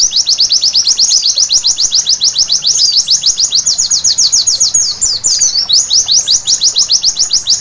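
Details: Rapid high-pitched white-eye song after dark: continuous train of descending chip-like notes, briefly interrupted by a knotted twitter before the even pace returns.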